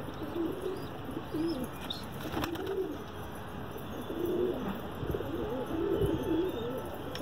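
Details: Pigeon kept for sale, cooing in low, soft rolling phrases that repeat about every second, with steady background hiss and a few faint higher chirps.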